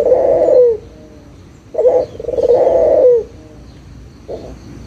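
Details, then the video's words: A local puter (Barbary dove) coos as a lure to get idle doves calling again: a long, low, drawn-out coo, a short note, then another long coo, and finally a soft brief note. "SUARA PIKAT PUTER LOKAL GACOR_SUARA PANCINGAN BURUNG PUTER MALAS BUNYI AGAR BUNYI LAGI"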